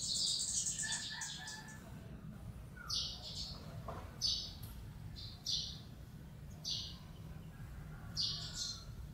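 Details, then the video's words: Lowland White-eyes (Zosterops meyeni) in second-growth scrub at Bued River, northern Philippines, 27 December 2020: short, high, thin chips and buzzy notes in bursts about every second, over a steady low background rumble. "Lowland White-eyes"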